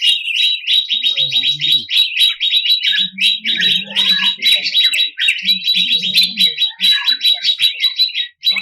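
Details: Harsh 'tembakan kasar' song of a 2021 national champion greater green leafbird: an unbroken stream of fast, clipped chips and scratchy notes with a faint high whistle running through.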